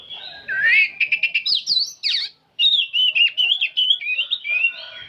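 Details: Oriental magpie-robin, an old bird, singing without pause: rich whistled phrases and quick buzzy chatter, a brief silent break, then fast, wavering whistles repeated several times a second.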